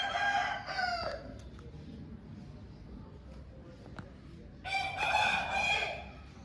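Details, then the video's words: An Aseel rooster, a home breed, gives two hoarse, drawn-out crows about four seconds apart, with faint background noise in between. "Home Breed Rooster Aseel Bird Sound Effect"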